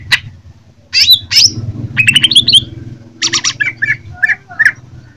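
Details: Fighting Greater green leafbird from Jember pouring out a varied, loud sequence of sharp chirps, buzzy bursts and quick whistled notes, with brief pauses between groups and a faint low hum behind.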